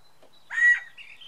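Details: A male Scaled quail squawking from a house rooftop on May 24, 2013, running between the roof corners. One loud, harsh, nasal squawk of about a quarter second, rich in overtones, with faint quieter chirps after it.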